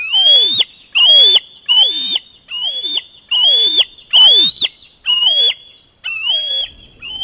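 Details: Osprey youngster begging as a parent brings in a small fish: a steady series of about nine loud, piercing whistled screams, each under a second, evenly repeated.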